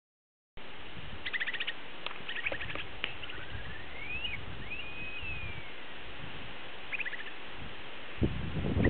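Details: Upland sandpiper singing at Sheyenne National Grassland in 2009: a few stuttering notes, then a long, thin whistle that rises and slurs back down, with strong wind rumbling underneath and some camera noise.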